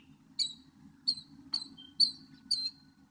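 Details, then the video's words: Northern mockingbird repeating a thin, high, sharp note five times at roughly half-second intervals, over a low background drone. "1 hour Northern Mockingbird!"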